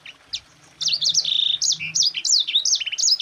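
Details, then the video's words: Yellow-fronted canary (Mozambique) singing in the dense rolling 'ngerol rapat' style used as a master song for training other birds: after a brief chip, a fast run of high whistled slurs and buzzy trills, with a faint low hum beneath. "Suara Burung Sanger Gacor NGEROL RAPAT"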